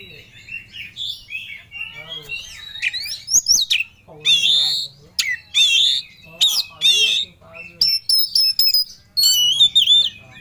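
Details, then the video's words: Oriental magpie-robin, a caged songbird singing with full emotion while seeking a rival: loud varied phrases of sharp whistles, rising and falling notes and harsh squawks in bursts, with high sustained whistled tones near the end. "Kacer Ngobra Cari Lawan || Full Emosi Materi Joss"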